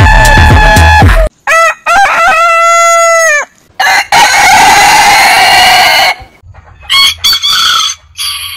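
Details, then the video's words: Rooster crowing in a heritage chicken breed compilation: loud harmonic crows, including a clear arched phrase with stepped opening notes, followed by a long strained noisy crow and softer trailing calls. "Biggest Rooster Sound Alarm - Long Roosters Crowning Suara Ayam Berkokok Panjang"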